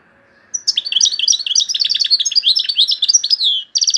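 A European goldfinch sings a fast, continuous run of bright, liquid twitters and tinkling trills, high-pitched and jumbled, over a quiet background.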